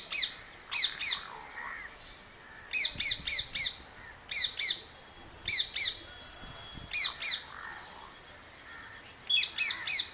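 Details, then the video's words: Bird in jungle near Coimbatore giving clusters of two to four sharp, high squawks, the groups spaced roughly one to two seconds apart, with softer lower warbling notes between them. "Bird making Special Sound"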